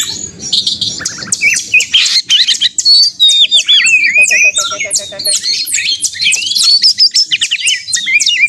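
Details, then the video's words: Oriental magpie-robin singing in fierce contest mode, meant to goad caged birds into singing; a packed, nonstop stream of sharp chips, clicks and looping whistled phrases, partly overlapping, with a brief low warble midway. "kacer gacor konslet narung ini AMPUH buat pancingan kacer agar bunyi"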